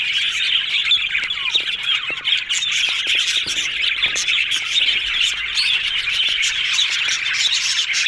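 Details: A flock of yellow budgerigars, said to be happy, keeps up lively chatter: continuous warbling with scattered clicks, chirps and a few sliding squeaks over eight seconds.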